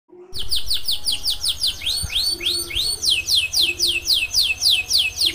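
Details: Canary in continuous gacor song, said to set other canaries singing: a fast series of bright rising whistled sweeps, about three to four each second, steady throughout, with a faint low hum behind.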